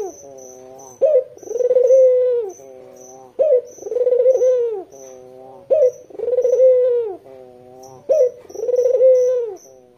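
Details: White Barbary dove with red eyes, kept to lure local doves, repeating a brisk note, a throaty rolling coo and a soft purr about five times, while a thin high chirping runs behind.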